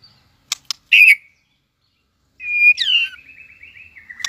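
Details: White-rumped shama, a competition bird just coming into form, singing a competing song: sharp clicks and a harsh burst, then a long whistled note sliding down into a fast fluttering trill.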